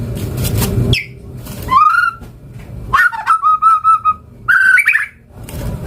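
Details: White-rumped shama (murai batu) gacor song: after a burst of hiss, a slurred rising whistle, then a series of five even, pure whistled notes on one pitch and a final quick warble.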